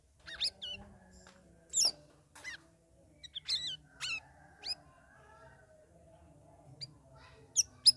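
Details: Caged sooty-headed bulbul singing in the ngeriwik ngeplong style after three weeks of ombyokan group-cage training: scattered sharp, high chirps and short rising sweeps in separate bursts, with quiet pauses between and a faint low hum beneath.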